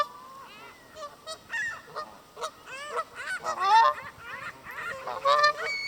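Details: A limping Canada goose beside a lake in Southern Ontario, Canada, gives loud, nasal, two-part honks every second or two, growing louder toward the end, before walking away.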